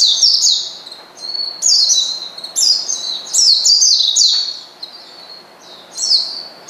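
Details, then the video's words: Oriental white-eye giving a provoking call aimed at a rival: bright, high-pitched chattering runs of slurred, downward-sliding notes, delivered in several bursts separated by brief gaps, with faint quieter twitters between. "pleci manggil lawan bikin lawan emosi dan edan"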